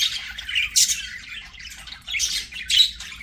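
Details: Playing pet budgies singing: scratchy high warble broken by a few louder squawky bursts, the chatter swelling and fading over a few seconds.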